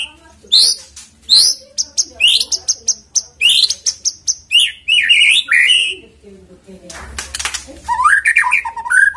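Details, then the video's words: White-rumped shama song used to coax the bird to sing: rapid series of sharp upswept chips, then burry tumbling notes and a scratchy noisy burst before varied warbled whistles. "PANCINGAN MURAI BATU AGAR GACOR CEPAT BUNYI"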